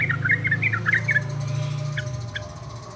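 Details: Yellow-vented bulbul singing busily: a quick bubbly phrase of warbled, up-and-down notes lasting about a second. Then two faint notes over a low steady hum.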